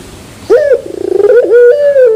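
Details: Pelung-style turtle dove singing with a metallic terasan: after a short silence, a clipped rising opening note, then a fast pulsing trill that flows into a long, steady, low hum ending in a soft downslurred tail.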